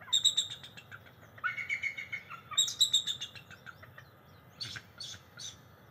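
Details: Pair of bald eagles vocalizing back and forth beside their NCTC nest early on July 22, 2023, picked up by a nest cam: repeated series of high, piercing piping trills, several quick notes each, ending in scattered sharp chirps.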